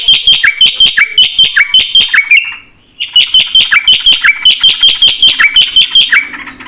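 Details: Black-winged starling giving 'full isian' song: loud bursts of paired, slurred notes in quick succession, a one-second silence, then the same rhythmic, descending slurred phrases again.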